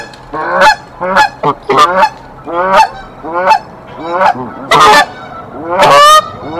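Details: Canada geese at a nest in a tree at Decorah, 1 April 2024, a mated pair defending the nest against an intruding female goose: a string of loud, harsh honks, each a short rising-falling blast, about ten in under seven seconds.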